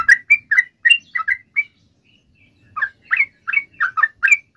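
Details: Sooty-headed bulbul singing gacor in long ropel style, a lure to make other sooty-headed bulbuls sing: a burst of bubbly chirping notes, a short silent gap, then another run of rising, chattering phrases.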